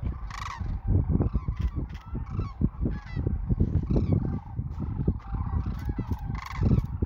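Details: A large gathering of migrating sandhill cranes in spring 2024 south of Wood River, Nebraska. Overlapping bugling, rattled calls rise and fall across the whole stretch, with persistent low rumbling.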